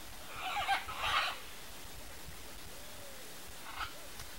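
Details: Wild pair of red-and-green macaws feeding on macaúba palm fruit in their natural habitat; two harsh, raspy squawks close together in the first second and a half, then quiet with a faint short call near the end.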